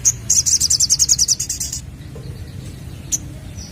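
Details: Young-bird lure of a sunbird: a rapid series of about fourteen high, buzzy notes that fades toward the end, followed by silence and one sharp single tweet.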